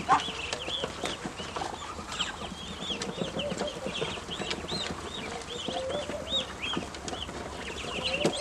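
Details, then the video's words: Growing ducklings calling when hungry: a steady stream of short, high, arched peeps, many overlapping and repeated several times a second, over soft background rumble. "Ducklings have grown and are making more sounds, especially when hungry"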